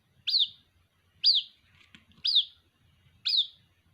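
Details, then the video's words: Young white-breasted waterhen calling for its mother, giving four bright, piercing peeps that drop in pitch, evenly spaced about a second apart, with a soft low rumble and a faint mutter between calls. "Suara anakan Burung Ruak Ruak, memanggil Induk Ruak"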